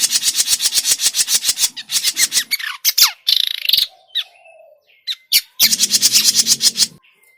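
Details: Grey-cheeked bulbul calls used as a lure for trapping birds: fast, harsh, buzzy chattering notes repeated in rapid bursts, then scattered squawks, short whistled tones and a quiet gap before another loud chattering burst.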